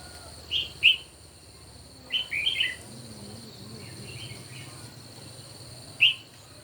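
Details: Morning singing duel of red-whiskered bulbuls, short chirpy whistled phrases of two to four notes, separated by brief gaps and ending with a single sharp note, over a constant high-pitched hum.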